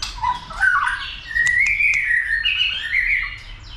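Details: White-rumped shama stirred to sing and fight: continuous sweet warbling with slurred whistles wavering up and down, punctuated by brief sharp clicks.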